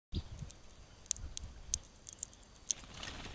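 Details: An alert hawfinch, recorded 24 February 2022, gives sharp, very high ticking calls, four or five spaced irregularly about half a second apart, over a low background rumble.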